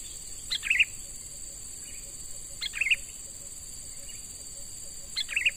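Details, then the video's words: Sooty-headed bulbul, a young bird taken from the wild and being trained as a lure, repeats brief warbled three-note phrases roughly every two and a half seconds against constant shrill insect buzzing. "Burung Kutilang MUDA HUTAN Mulai Dilatih Untuk Jadi Pikat Handal"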